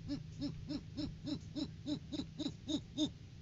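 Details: Great horned owl at its nest tree on a live cam, January 9, 2023, during courting season before February egg laying: a quick run of about ten soft, low hoots, roughly three each second, over a steady low hum.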